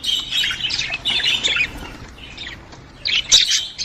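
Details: Budgerigar squawks used to encourage a female to mate, harsh buzzy bursts grouped in the first second and a half, then quieter chirps and another loud squawk near the end.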